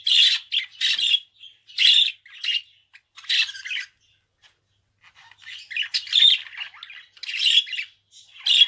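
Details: Pet budgerigar chatters in grouped harsh chirps and buzzy squawks, falls silent for about a second, then resumes with a denser, more varied scratchy warble.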